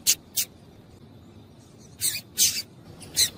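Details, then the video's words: Female Double-collared Seedeater calls, played to stimulate males to sing: five short, high, sharp chips, two close together, then a pause and three more, over a quiet background. "Piado de Fêmea de Coleiro para Esquentar Coleiro frio"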